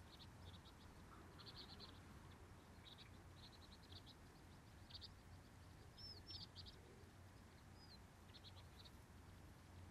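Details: Several sparrows sing a morning chorus of short, bright chirping bursts, with a couple of clear rising whistles mixed in, over a steady low rumble.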